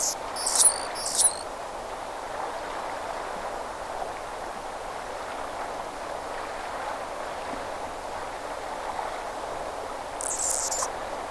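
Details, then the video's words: Anna's hummingbird at the mouth of Furry Creek, 2023, gives two quick bursts of thin, very high, scratchy chips near the start, then one buzzy squeal near the end, over steady rushing wave and water noise. "Anna's Hummingbird"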